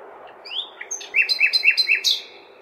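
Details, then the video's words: Nightingale song on a May night recorded in a big city: a rising whistle, then a rhythmic series of five loud, clipped double notes about four per second, with a constant low city rumble behind. "Śpiew słowika (nightingale)"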